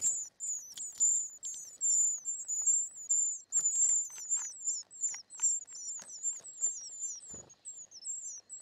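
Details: Nestling short-toed treecreepers calling as they are fed: dense streams of high, thin, wavering squeaks, many overlapping notes dropping slightly in pitch, with scattered soft clicks and rustles in the nest.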